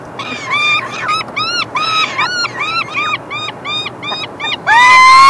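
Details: Peregrine falcon chicks beg as the male brings them food on 3 June 2024. Rapid, strained squealing notes follow one another in close succession, and the clip ends with one louder, drawn-out rising wail.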